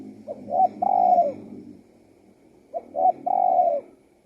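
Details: Spotted dove song, two phrases of quick short notes and a long mellow coo, with a low hum underneath.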